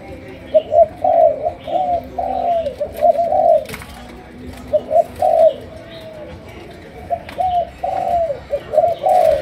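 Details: Malaysian spotted dove cooing: soft, low, hollow coos in repeated phrases of several notes with short pauses, over a steady background hiss and faint clicks.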